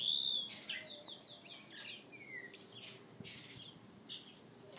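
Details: One of a kept pair of European bee-eaters (Merops apiaster) gives a clear opening note, then a run of short, down-slurred, fairly high chirps, with more calls trailing off; European bee-eater call.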